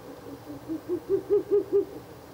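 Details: Ural owl near its nest box at night, 16 April 2024: a brief accelerating series of low hoots, swelling in loudness and rising slightly over about two seconds.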